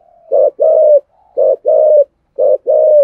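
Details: Cooing spotted dove in the thổ sấm voice style, two ending notes: three deep phrases, each a clipped note then a longer sustained coo, evenly repeated roughly once per second, with silence between.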